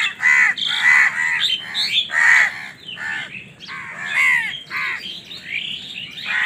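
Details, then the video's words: Several crows fighting for food, a dense, overlapping run of harsh caws and squawks with short rising and falling notes, loud and continuous throughout. "Crow Bird Crowing Sound || Crow ki Awaz part 68 || Crow Bird Fight for Food"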